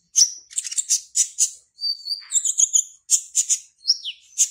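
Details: Caged Van Hasselt's sunbird (kolibri ninja) from Serang, Banten, Indonesia, performing in an online singing contest: rapid high, thin chirps and twitters in short bursts, with sweeping whistled slurs and a falling note near the end.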